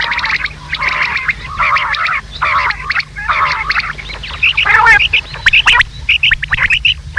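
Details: Rain quail (batair) call, described as the female sound, played as a hunting lure; short buzzy, harmonic bursts repeated about twice a second in a steady series, later breaking into sharper, higher chirps, with faint low hum beneath.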